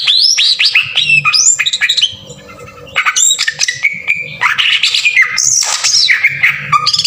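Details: Cucak ijo, green leafbird, in a rough 'tembakan kasar' song meant to provoke singing in other birds: loud rising and falling whistled bursts and squawky notes, a brief quieter pause near two seconds, then dense mimic-like phrases resume.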